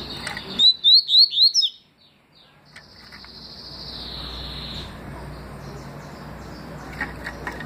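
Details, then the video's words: Papa-capim seedeater in 2020 delivering its 'tui' song: five rapid, sharply rising whistled notes at a steady rhythm, followed by a long thin drawn-out whistle and quieter background chirps. "Papa capim tui detonado"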